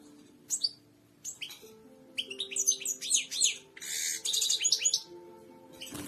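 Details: Royal goldfinch, the European goldfinch, in song meant to teach other birds: quick chirps and downslurred notes building into a rich buzzy trill, over a faint low background hum.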